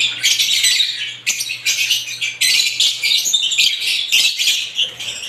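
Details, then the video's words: Different types of lovebirds call in long stretches of shrill, buzzy twittering broken by brief pauses, the squeaky notes tumbling rapidly over one another. "ibat ibang klasing uri ng love birds sarap nilang pakinggan habang na humuhuni"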